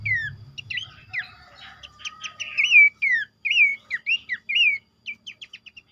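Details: Bush babbler (pelanduk semak) sound used as a lure to draw the bird in: clear, slurred whistles and quick chirps repeated in a lively run of high notes.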